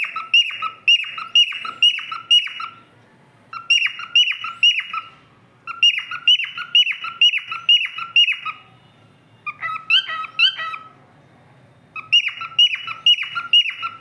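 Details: A silver cockatiel sings bright, repeated whistled notes in quick bursts with brief pauses between phrases.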